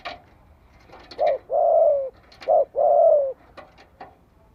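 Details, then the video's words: Decoy spotted dove cooing to stir other doves to call back: a short note, then a long sliding coo, repeated once, with faint clicks and rustling between phrases. "Tiếng chim cu gáy kích bổi cực sung - Chim nghe là gáy lại."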